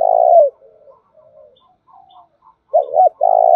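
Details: Spotted dove calling as a lure to stimulate other doves, thổ đồng voice: the end of a long buzzy coo, faint murmuring notes, then a fresh phrase of two quick coos leading into another long one.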